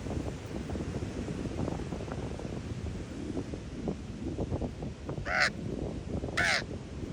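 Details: At San Francisco's Ocean Beach a raven gives two hoarse, grating caws about a second apart near the end, after a long stretch of surf and wind noise.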